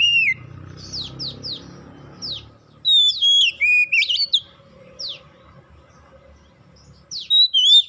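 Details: Oriental magpie-robin song used as a lure to get other magpie-robins singing: loud clear whistled notes, rising and falling slurs and quick downward sweeps in bursts separated by quiet gaps, over faint low background hum.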